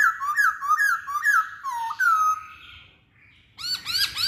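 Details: Masked laughingthrush repeating slurred whistled notes about every half second, then one long falling whistle. After a pause, quick hooked notes follow in a lively burst.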